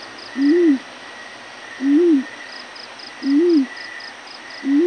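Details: Yellow-breasted fruit dove giving its morning call, low, soft, arched hoots about every second and a half, with a faint high insect hum and brief chirps behind.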